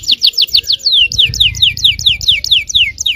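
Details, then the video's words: Yellow canary singing to provoke other canaries: repeated sweeping downslurred whistles in quick series, roughly two per second, each with a sharp high start, over low background noise. "suara kenari kuning bon yang sangat efektif memancing emosi.. belum ada 10 detik pasti nyaut gacor!!"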